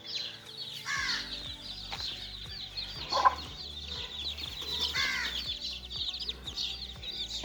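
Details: Playing chicks, a constant mass of thin, high, falling peeps, with a couple of louder, fuller calls near one and five seconds, over a steady rhythmic music beat.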